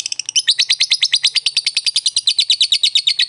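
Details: Lure recording of a fighter lovebird chattering to provoke a rival into ngekek: a sustained fast series of harsh, high, scratchy notes, roughly three per second, loud and regular.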